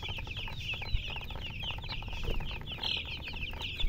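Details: Chickens making a steady stream of thin, high chirps that overlap rapidly with one another, with a low rumbling background throughout.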